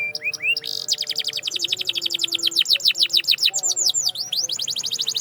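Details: Canary singing rapid trills of downward-sweeping whistled notes, opening with a few separate rising chirps, then a long fast series of repeated descending notes with shifting tempo, steady low hum in the background.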